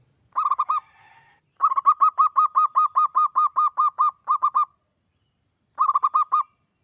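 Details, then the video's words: Song of a zebra dove, used to prompt other doves to start singing: a short opening phrase, then a long run of quick repeated coo notes, with a brief closing burst after a pause. "Suara perkutut gacor seperti ini AMPUH bikin perkutut anda cepat bunyi"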